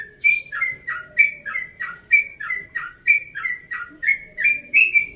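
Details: Yellow-vented bulbul aged one and a half years, from Bekasi, in early-morning rapid song: loud, liquid whistled phrases dropping and rising, delivered in a steady run of about twelve bursts over five seconds.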